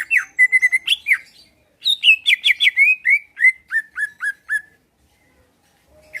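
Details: Energetic song of a caged greater green leafbird in Pasuruan, Indonesia, used to provoke rivals into answering and fighting: rapid chattering notes, then a descending series of short, slightly harsh chirps ending in silence.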